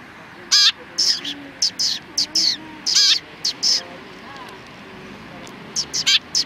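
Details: Several sparrows recorded on 31 October 2019, giving short, bright chirps in quick irregular bursts. Some notes come singly and others in doubled or tripled clusters, with a pause in the middle before a final run of chirps.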